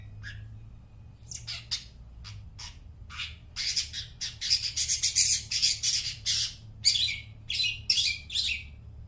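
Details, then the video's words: Long-tailed shrike song meant to coax mute shrikes into singing: a few scattered notes, then a dense run of harsh, squawky high bursts repeated rapidly, with short pauses between phrases. "suara burung cendet gacor suara plong cocok buat pancingan burung cendet bisu"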